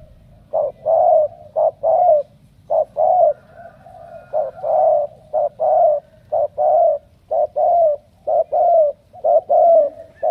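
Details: Spotted dove, a kept bird selected for strong cooing, gives mid-pitched hollow coos in rapid short-then-long pairs, about one phrase a second, with slight downward slurs on the longer notes; faint low hum behind.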